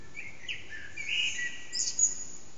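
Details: Early-morning Eurasian blackbird song near 4:30am, captured with an HTC Desire in a backyard that echoes loudly, singer out of sight: mellow fluted notes, a sustained warble, then a bright high twittering flourish at the end.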